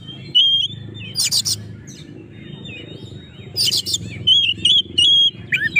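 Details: Singing Oriental magpie-robin, a rival-provoking song: clear high whistles mixed with two harsh scratchy bursts, then a busy run of sweet warbled notes, backed by constant low rumbling hum.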